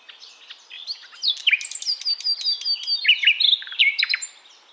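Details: Nightingale singing: a rich, rapid phrase of varied high whistles, sharp chirps and short trills that shift up and down in pitch, delivered in a continuous burst against a quiet background.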